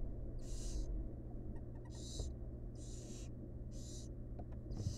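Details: Inside a research nest box, a wild female barn owl feeding her fledglings; five rasping, noisy hisses of roughly half a second come at near-regular one-second intervals, with constant low hum beneath.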